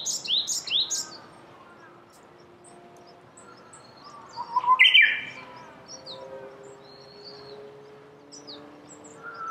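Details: Japanese bush warbler, March 2019, cherry blossom season in Saitama, Japan: quick high descending notes at the start, a loud bright flourish midway, and faint background chirps and low hums.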